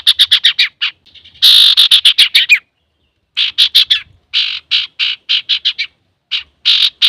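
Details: Male common iora singing energetically, recorded as a lure for other birds: rapid runs of sharp, harsh, chattering notes in bursts, about six to ten per second, broken by short pauses.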